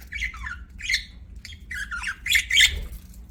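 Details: Pet budgies squawking and chirping in rough, buzzy bursts of warbled notes about three to four per second, the loudest harsh squawks near the end, over a soft background hum.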